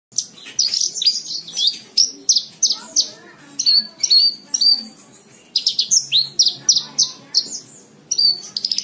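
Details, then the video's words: Branjangan (Javan bush lark) song used as masteran, a tutor recording for training cage birds: bright high chirps, trills and rapid repeated notes in quick bursts, with short pauses between phrases. "MASTERAN BRANJANGAN SATU JAM FULL. COCOK BUAT PEMASTERAN BURUNG BAHAN"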